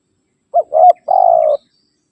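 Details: Spotted dove calling rivals, used to lure wild birds: a short coo, a rising mellow note, then a sustained, slightly rolling coo that ends abruptly, in a clean recording.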